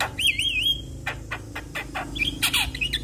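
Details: Javan myna singing to provoke other mynas: a wavering warbled whistle, then several harsh dry squawks and a final bright whistled phrase.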